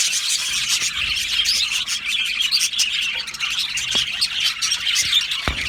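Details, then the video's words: Budgerigar colony in an aviary, singing and chirping: steady high-pitched chattering from many birds, overlapping squeaks and short warbled notes forming an unbroken busy din throughout. "Budgie colony sounds | Budgie singing and chirping sounds"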